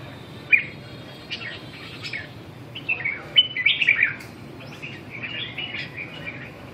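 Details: Red-whiskered bulbul giving short, bright chirped phrases at a fairly high pitch, spread across several seconds. A busier run of quick warbled notes comes in the middle, over a steady low background hum.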